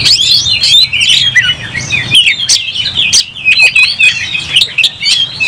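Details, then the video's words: Oriental magpie-robin (kacer) singing in fighting mode, tail spread in an agitated display; a dense, fast stream of high whistles, chirps and sharp trills, with clicking knocks and a low hum underneath. "Kacer gacor langsung tarung buka ekor bongkar emosi"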